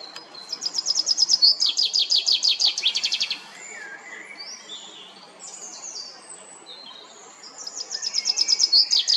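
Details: Common chaffinch singing at La Perle du Lac, Geneva, Switzerland: a bright, fast descending series of trilled notes lasting about three seconds, then softer notes from other birds, and a second song beginning at the end.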